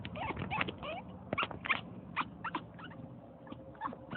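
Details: Alaskan African grey parrot imitating puppy noises to wake its owner at home; rapid run of high squeaky yelps and short whimpers, irregular bursts close together, faint room noise beneath.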